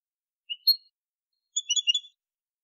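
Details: European goldfinch, clean 2020 song recording: two brief rising whistled notes, then a quick cluster of bright twittering syllables after a short pause. The background is silent.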